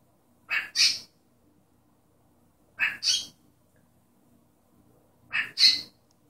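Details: Cockatiel kept as a pet mimicking a human sneeze: three double bursts, a softer intake followed by a sharp hissing blast, recurring roughly every two and a half seconds against near silence.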